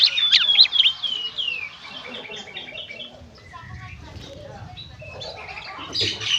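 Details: Oriental magpie-robin in gacor konslet style, used as therapy to prompt magpie-robins to sing. Quick clear whistled and slurred notes open the phrase, then fade into softer scattered chirps and low rumbling background noise before a final burst.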